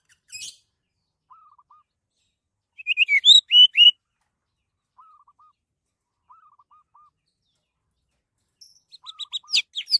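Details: Orange-headed thrush song, a recording used as a lure to get other birds singing: rapid bright whistled phrases heard twice, with scattered soft, low, wavering piping notes in between.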